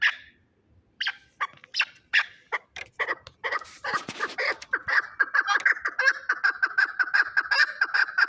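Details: Shahritus fighting chukar partridge, scattered harsh notes building into a fast, dense chattering rally of clucks that continues without pause.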